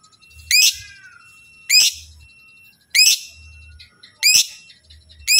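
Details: Shrill, piercing lovebird chirps, meant to set other lovebirds calling back, come in strong bursts roughly every 1.2 seconds, with thin twittering and a low rumble between them.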